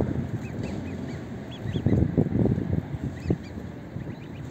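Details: A large family of greylag geese eating oatmeal give short, low gabbling honks in quick bursts, with thin high peeps above and a steady low rumble of wind or water.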